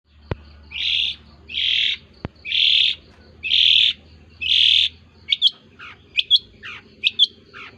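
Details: Long-tailed shrike giving an odd call: five harsh, buzzy rasping notes about one per second, then a run of sharp, thin, rising chirps and squeaks.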